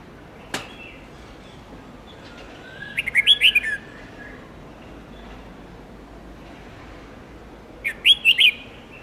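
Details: Red-whiskered bulbul song used to teach young birds long multi-note songs: a sharp click, then two fast whistled phrases about five seconds apart, each five or six bright chirps.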